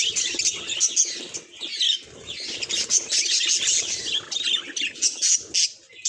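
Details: Budgies in steady chatter, overlapping high chirps, trills and buzzy warbles pouring out without pause, with occasional low rustling and wing sounds.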